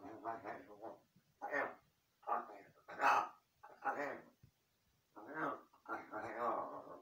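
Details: A Large-billed (jungle) crow mimics human speech, talking to itself in a run of seven or eight voice-like phrases, rough and conversational, with short pauses between them.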